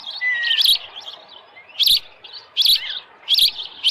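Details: Nest osprey on a July 2018 morning at Dunrovin Ranch, with a headless fish. Short bursts of shrill chirps repeat roughly every 0.7 seconds over a soft, continuous twittering.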